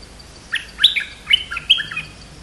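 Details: Streak-eared bulbul giving a brisk burst of chirpy, liquid notes in four separate bright pulses, each dropping slightly in pitch. Only a soft steady hum lies beneath.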